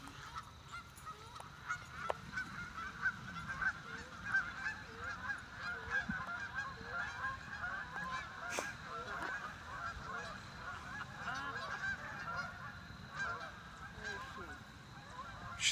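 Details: A flock of Canada geese, approached by a Vizsla dog, honks continuously, the nasal calls overlapping in a busy chorus.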